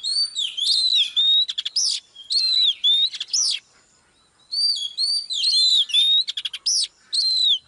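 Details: Song of a female Oriental magpie-robin, used to pull a male into full song. Bright, wavering whistles and quick chattering rattles come in dense phrases, with a brief pause in the middle.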